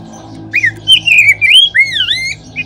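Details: Oriental magpie-robin singing in a lure recording meant to stimulate other magpie-robins to sing. A short burst of clear whistles, including long rising and falling slurs, over a faint low hum.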